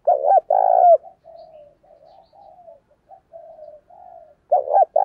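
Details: Spotted dove decoy calling to provoke rivals, thổ-voice style; a double coo and long hollow note, then a string of quiet wavering murmurs before loud coos return at the end.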